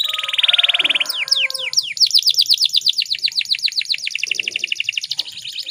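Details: Female canary in breeding condition, calling to lure males into singing: a buzzy steady trill opens, followed by a few sweeping downslurred whistles and then a long run of rapid, bright, repeated chirps.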